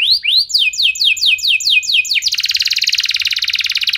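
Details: Canary song used as a lure to set other canaries singing: rapid repeated downslurred notes, then a fast buzzy trill at the end.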